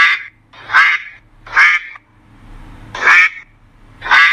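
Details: Duck giving repeated loud raspy quacks, five calls in just over four seconds with a longer gap before the fourth, low background hum.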